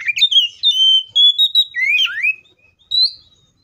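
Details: Oriental magpie-robin singing a varied fighting song used to provoke others of its kind into song: long, steady, high whistles linked into a continuous phrase, then swooping rising notes and a final upward whistle.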